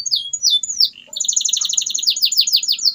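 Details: Canary song to coax silent canaries into singing: a few swooping whistles followed by a long, steady, rapid rolling trill of repeated double-tone notes.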